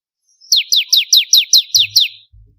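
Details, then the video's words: Bar-winged prinia in full song for contest-bird training: eight strong, high notes slurring sharply downward at a fast steady beat, followed by faint low humming sounds. "Ciblek Kristal Gacor"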